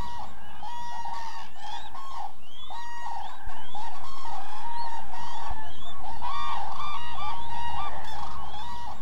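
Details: Common cranes on autumn migration, resting in an almond orchard in Israel's Hula Valley in November, foraging for fallen almonds; many overlapping loud trumpeting, bugling calls with rising and falling notes, repeated throughout, with a low rumbling background.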